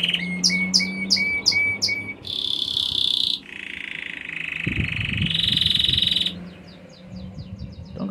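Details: Belgian canary, intense yellow, singing: a run of clipped repeated chirps, then buzzy sustained trills shifting between high and middle pitch, ending in soft quick notes, with light background rustle.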